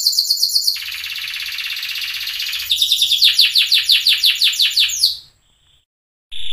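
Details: Sunkist canary, notably orange rather than yellow, performing loper song for tutoring: a high rattling trill, then a slower series of about a dozen rolling notes, a brief silence, and the song resuming.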